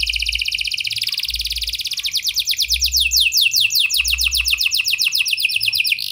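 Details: Singing canary giving a lure song in the prenjak and lovebird style, aimed at stirring silent canaries: an unbroken, loud, rapid trill of descending sweeping notes, slowing slightly and growing more spaced toward the end.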